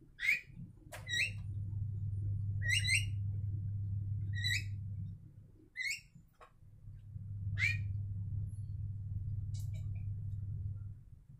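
Javan mynas trade loud, harsh whistled notes, roughly one every second, over a steady low mechanical hum.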